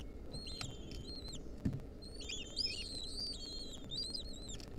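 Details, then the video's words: Wild lesser kestrel nestlings fed a mouse by their mother give high thin squeals, short at first then a longer wavering run in the second half, over low background rumble and a thump. "Lesser kestrel nestlings get fed a mouse by their Mom."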